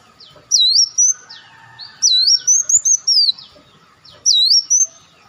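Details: Olive-backed sunbird calls played as a lure to attract birds: three bursts of very high, sharp whistled notes that sweep down then up, given in quick runs about every two seconds, over a faint steady hum.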